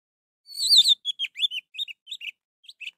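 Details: Orange-headed thrush song, played to coax a bird that will not sing: one loud, wavering whistled phrase followed by a quick series of short, clear, rising and falling whistled notes.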